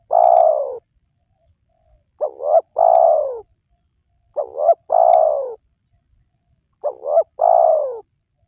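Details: Spotted dove calling, played to lure wild doves. An opening long coo, then three phrases about every 2.3 seconds, each a rapid double coo and a drawn-out descending coo, with quiet background.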